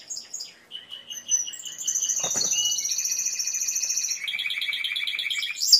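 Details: Timbrado canary song of varied phrases: chirps and a rolling trill, a brief rustling noise, then layered fast high trills held for several seconds.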